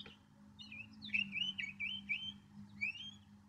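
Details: Quieter Northern mockingbird phrase of linked, wavering whistled slurs rising and falling, followed by one upslurred note, over a steady low hum.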